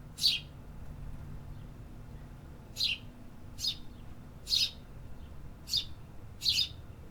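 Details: In an urban area, city birds sing six brief piercing tweets, irregularly spaced with a long pause after the first, above a low continuous city drone.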